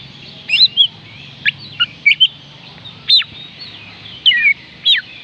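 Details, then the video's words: Oriental magpie-robin (kacer) song played to prompt reluctant birds to sing: scattered high, sharply rising and falling whistled notes and short sweeps, separated by brief pauses, over a faint low hum. "oriental magpie robin kicauan Kacer panggilan Kacer malas bunyi"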